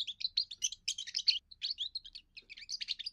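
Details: Young European goldfinch giving its first song, used to defend territory and attract females: a rapid, tinkling jumble of high twittering notes and short liquid trills in quick bursts, with brief pauses, and no other sounds.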